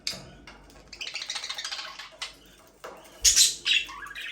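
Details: Budgerigar breeding pair in an aviary: soft warbled chatter followed by a loud sharp squawk and a short rising chirp, low hum in the background.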